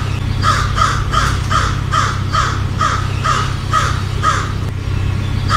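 American crow giving a rapid series of about a dozen harsh, hoarse caws, roughly two per second, over a steady low rumble.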